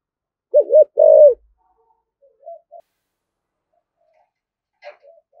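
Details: Spotted dove cooing in the keen thổ-voiced thúc gù style: a single wavering double note and a fuller husky coo, then near silence with a faint distant note and a brief click.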